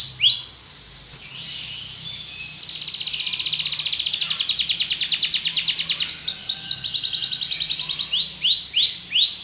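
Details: Belgian canary singing: an opening whistled note, a quiet gap, then a long buzzy rapid trill, finishing with a series of arched whistles repeated about every half second.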